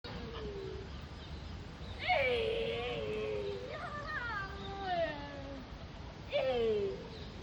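Egyptian geese give drawn-out, nasal, wailing calls that slide downward, about four bursts in under eight seconds, some overlapping, over a soft steady background hum.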